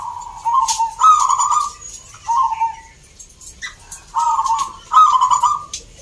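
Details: Zebra doves singing at a local contest in Salatiga, Central Java, with birds brought from many cities: mellow, slightly rolling coos in short phrases of about a second, overlapping between birds, with faint high clicks and crowd noise behind.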